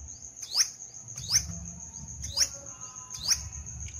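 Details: Sunbird from a viewer's recording in a weekly singing contest: four sharp high chirps, each a quick rising then falling stroke, spaced about a second apart, over a thin steady high tone and low rumble.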